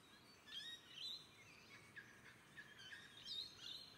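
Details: Australian rainbow lorikeets in the evening, recorded on a Panasonic 4K Handycam: a run of harsh, scratchy chirps and screechy notes, several overlapping, over a steady soft outdoor hiss.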